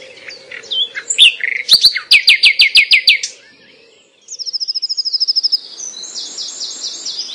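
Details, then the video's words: Eurasian wren by a calmly flowing river in evening sun pours out a loud, high, rapid song with fast trills and sharp repeated notes, partly masked by a blue tit singing alongside, over a low steady rush of water. "noch einen Zaunkönig"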